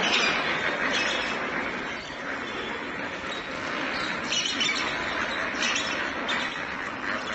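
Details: A flock of lesser flamingos just released from their indoor quarters keeps up a dense, unbroken gabble of overlapping nasal honks and squawks, many birds calling at once with no pauses.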